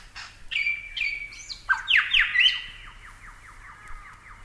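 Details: Superb Lyrebird from Australia, a varied burst of loud whistled notes, sharp downward sweeps and a long sustained tone broken by rapid rattling strokes, over a quiet background.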